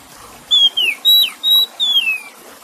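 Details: Oriental magpie-robin song over a water background: five loud clear whistles in quick series, falling slurs alternating with flat sustained notes near 4k, roughly every quarter to half second.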